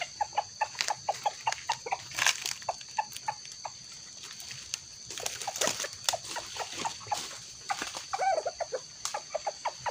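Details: Red junglefowl during trapping, with a small decoy bird set against a young wild junglefowl, giving rapid, sharp clucks, several per second in uneven bursts, over a steady high insect drone.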